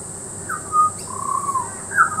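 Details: Fluty butcherbird whistles recorded in Peachester, Queensland: a bright note stepping down, a sustained wavering mid-pitched tone, then another clear downslurred whistle, with steady hiss behind.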